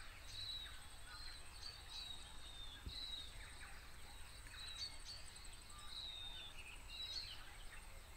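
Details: Tomtit (miromiro, Petroica macrocephala) in late autumn in New Zealand: thin, high, whistled notes repeated in short bursts about every second, faint over a steady low rumble of wind.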